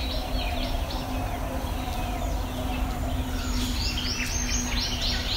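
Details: Wild birds singing on a farm one morning in March: faint high chirps and short whistled phrases scattered over a steady low rumble and a constant hum.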